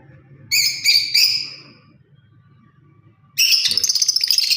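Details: Lovebird parrot chirping: three quick high chirps early on, a pause with low hum, then a dense burst of rapid, harsh twittering chatter to the end.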